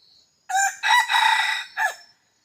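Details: Crowing of a red junglefowl kept as a hunting decoy: a brief opening syllable, a drawn-out raspy middle section and a short downward closing note, about one and a half seconds long, after a soft insect drone.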